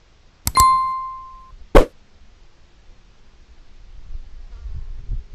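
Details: A bright ringing metallic ding sustains for about a second, followed by a dull knock and quiet low rumbling, with no animal voice heard.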